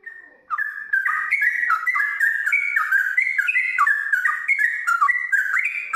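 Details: Sooty-headed bulbul singing a long ropel after ngiwir notes, gacor style: one clear whistle, then a continuous stream of loud, liquid, rolling notes stepping up and down in quick succession.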